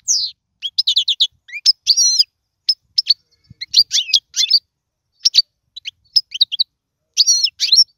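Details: European goldfinch song for training young birds: sparse clear chirps and twangy slurred notes in short separate bursts, with quiet gaps between phrases.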